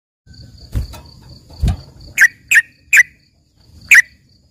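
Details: Trained yellow-vented bulbul (trucukan isian), said to sound like a lively greater green leafbird (cucak ijo gacor): four sharp, bright chirps at irregular intervals after two dull low thumps, with a faint steady high tone behind.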